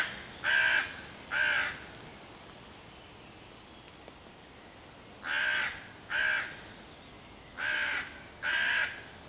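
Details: Harsh caws from a hooded crow harassing five young raccoons waiting in a tree for their mother, 11 June 2023, meant to chase the predators away and summon other crows. Three pairs of rasping calls with pauses between pairs.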